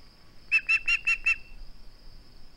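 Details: Osprey at its nest, filmed by a live nest camera on 21 August 2020, calling while refusing to give up a flounder: five sharp, whistled chirps in quick succession, then quiet.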